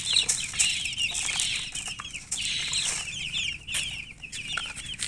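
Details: Chickens giving rapid high peeps in overlapping clusters, accompanied by rustling, wing flapping and scraping sounds throughout.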